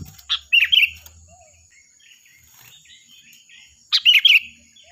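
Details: Sooty-headed bulbul singing loudly for use in training other birds: two bright bubbly phrases at start and end, soft warbled notes and faint distant chirps between them, steady high hiss throughout.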